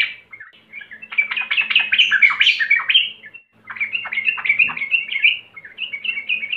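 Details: Sooty-headed bulbul singing to lure birds into song: long loud run of harsh, bubbly warbled notes with sweeping slurs, a brief break, then more rapid chattering phrases.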